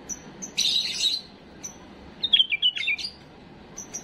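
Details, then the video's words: Tame bulbul giving an error-free model song for young birds: thin high whistles, a buzzy burst, then a descending run of sliding warbled notes and more high whistles. "تغريد بلبل اليف خالي من الاخطاء لتخريج الافراخ"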